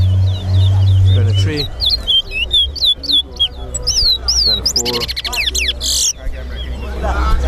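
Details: Towa towa singing in a bird competition at Sheriff Street, Guyana: quick rising and falling whistled notes, clusters of rapid chirps and a harsh buzzy burst, with a steady low hum and crowd noise.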